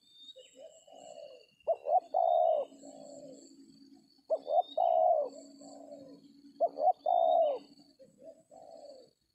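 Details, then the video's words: Spotted Dove (tekukur) cooing during a dove-trapping session with a decoy in an oil palm plantation; three low cooing phrases about every 2.5 seconds, each two short notes then a long sustained coo, with faint high whistles of other birds. "DAPET TARGET TEKUKUR TERBAIK, SUARA KOMPLIT"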